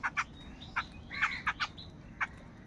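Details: Many crows fighting for food give quick, harsh, clipped call notes in pairs and small bunches, one slightly longer rasping call in the middle, against low background noise.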